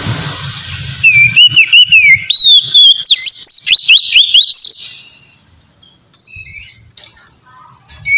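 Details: A white-rumped shama sings a relaxed ngeplong song used as a lure for wild birds: low hum at first, then four seconds of fluid whistled slurs and clicks, trailing into near silence with faint distant chirps.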